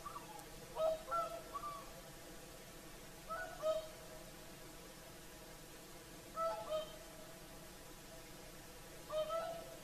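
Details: Whooper swans' evening singing at sunset on Lake Saimaa, Finland: four well-spaced bursts of double trumpeting notes, roughly every three seconds, clear against a still background.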